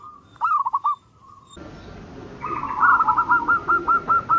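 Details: A zebra dove phrase in the morning, a held coo and short rolled notes, cut abruptly, then a louder series of about eight evenly repeated short coos building over noisier background.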